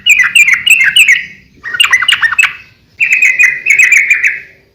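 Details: Sooty-headed bulbul singing energetically, a recording meant for training and luring other bulbuls: three bursts of bubbly, chattering whistled notes, rising and falling, separated by short pauses, with a faint low murmur beneath.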